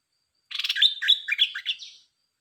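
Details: Red-whiskered bulbul, a kept bird, singing a short phrase: a rapid run of chattering notes followed by a few warbled, slurred whistles, lasting about one and a half seconds, in otherwise quiet surroundings.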